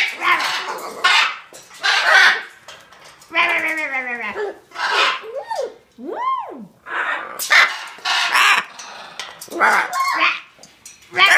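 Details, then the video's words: A pet Hyacinth macaw that learned to bark like a dog, and now does it for fun, gives a string of harsh, hoarse barks about one a second, with a couple of rising-then-falling whine-like notes between. "Hyacinth Macaw parrot learned how to bark like a dog"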